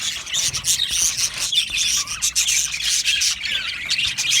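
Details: Yellow male budgerigars in a colony aviary keep up busy, rasping warbles and sharp chirps, with one short lower whistled note in the middle.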